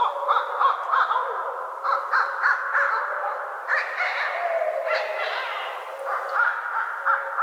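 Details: Two barred owls call back and forth during the day or at light evening, trading rapid, nasal cackles and hooting yelps in an excited, overlapping chorus of odd, wavering cries.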